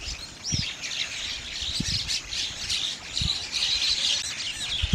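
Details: Bank mynas, or Gang Shalik, river-bank nesting birds living in flocks; harsh squawks, a clear rising whistle early on, and dense chatter, interrupted by several low thumps.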